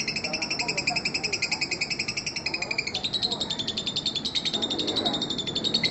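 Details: Long ngekek chatter from a fighter lovebird, meant to lure young lovebirds: fast, even rows of raspy notes, with a brief shift to a slightly higher, thinner tone halfway through, over soft background hiss.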